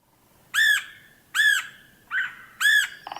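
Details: Red-headed Woodpecker, a bird of open woodland with spread-apart trees and little understory: harsh screechy arched calls repeated about every 0.8 seconds, four in all, the third shorter and rougher.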